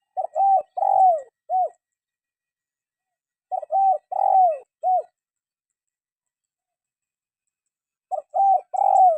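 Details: Spotted dove calling as a tutor for caged birds that will not sing: the same soft four-note cooing phrase repeated roughly every four seconds, about two and a half phrases in all, with a faint high hiss.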